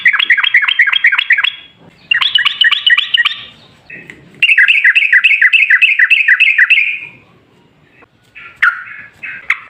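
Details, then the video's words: Sooty-headed bulbul (trucukan), lively long-running song meant to lure others into replying: rapid bubbly whistled notes in bursts, brief pauses between runs, a few scattered chirps at the end. "Suara TRUCUKAN GACOR Ropel Ngalas Pancingan Trucukan Agar Bunyi"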